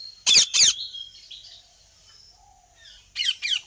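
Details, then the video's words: Ringneck parrot giving loud, harsh, screeching squawks in quick pairs, with faint thin whistles in the quiet gap between them. "Ringneck Parrot"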